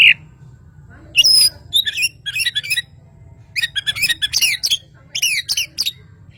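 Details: Kalimantan white-rumped shama singing a rich, varied song: bursts of fast chirps, sweeping twitters and high trills in several phrases separated by brief pauses, with a low background hum throughout.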